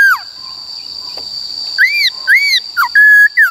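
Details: ['White-cheeked laughingthrush forest-style song for training birds: a falling whistle, a quiet gap, then arched whistled notes, a short drop, and a long level held whistle, against a constant high whine.']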